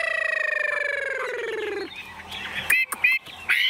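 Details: A tame, wild-caught Chinese hwamei, hand-carried in its cage as the cage is shaken, unafraid and pecking at a hand, gives a nasal, rapidly pulsed note sliding slowly downward for about two seconds, then a few sharp squeaky chirps amid light rattling.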